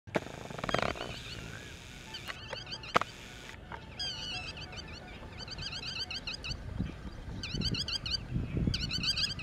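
Yellow-wattled Lapwing alarm call: sharp, high, clipped notes in rapid bursts of three to five, repeating over low wind rumble and a few thumps early on.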